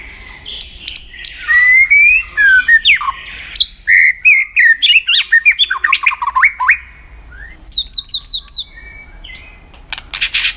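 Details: White-rumped shama singing for contest training: long varied phrases of whistles, rapid downslurred notes and high chirps in quick succession, with a harsh noisy burst at the end.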